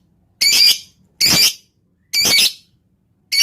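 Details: Lovebird lure meant to stir other lovebirds into song: loud, high, rasping squawks about a third of a second long, repeated roughly once a second in a quiet room.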